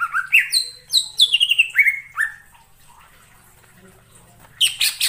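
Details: Greater green leafbird singing wild in forest: quick rising then descending whistled slurs in a cascading sequence, a quiet pause, and a final burst of high chattering.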